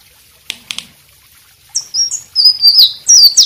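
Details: White-rumped shama song used for tutoring other birds: two soft clicks, then a quick series of bright high whistles, slurred downward and upward, building in loudness.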